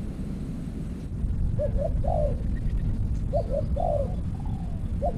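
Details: Decoy trapping of spotted dove with an earthen trap cage; two fainter low coo phrases of short notes and a falling coo sound over broad low background noise.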